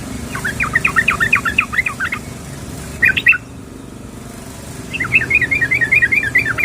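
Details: A female yellow-vented bulbul calls for a male with quick bursts of tumbling, bubbly chirps: a chattering series, a short break with a few notes, then another rolling run of rising and falling notes, faint traffic-like rumble behind.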